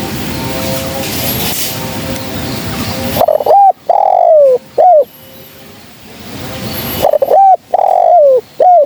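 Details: Female spotted dove calling for bird trapping. Repeated phrases of short upswept notes followed by a drawn-out downward-sliding coo come in quick bursts after a hissy opening.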